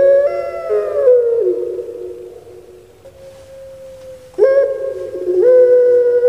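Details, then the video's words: Long resonant coo of a turtle dove of the puter pelung type kept in Java, Indonesia: a sustained note sliding downward and fading, a quieter steady tone, then a new rising coo. "Puter Pulung Suara Gemanya Bikin Lupa Diri"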